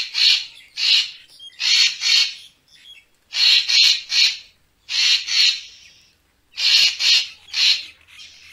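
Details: Racket-tailed treepie, playback sound for attracting birds to photograph: grating, rasping calls in runs of two or three bursts with short pauses and a few faint squeaks between them.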